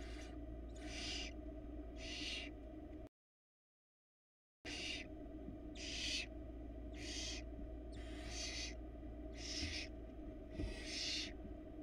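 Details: Inside a Florida barn owl nest box during 2022 nesting, the male having brought a rat. Hoarse hissing bursts repeat roughly once a second, about nine in all, over low electrical hum.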